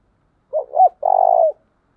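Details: Spotted dove kept as a decoy, in deep 'tieng chim' style meant to stir fresh doves to call: two clipped looping notes followed by a single drawn-out, burry, trembling coo.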